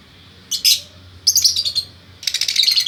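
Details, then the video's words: Caged pair of lovebirds, male and female, from Bukittinggi, West Sumatra: three bursts of dense, high, buzzy chattering, the last a long rapid run of squeaky notes. "Burung Lovebird Jantan Betina Bukittinggi Gacor"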